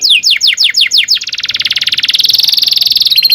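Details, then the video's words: Long canary song used to tutor young birds: several quick descending whistles, then an accelerating, very fast rattling trill that holds steady in pitch before ending in a few high notes. "kenari gacor panjang cuit cuit ngerol"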